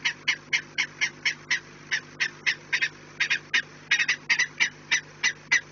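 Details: Nesting peregrine falcons, recorded 4 March 2019 at 16:28, utter a steady series of harsh, scratchy kek notes, roughly three each second, with a quiet electrical hum beneath.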